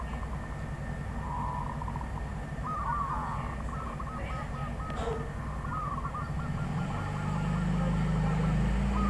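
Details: Wild zebra dove calling long runs of rapid soft coos and slurred phrases, while a low engine-like drone swells toward the end.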